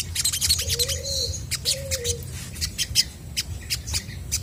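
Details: Chestnut-backed scimitar babbler singing to coax replies from other birds: two mellow, low whistles rising then falling in a gentle arch, about a second apart, set against busy high chirps and squeaks from nearby birds.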